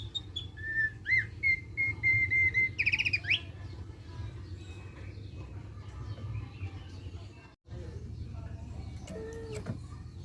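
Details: Song of a thick-billed white-eye, meant to prompt other birds to sing: a few sliding whistles, a row of evenly spaced flat whistled notes and a short buzzy trill, then quieter background noise and faint chirps.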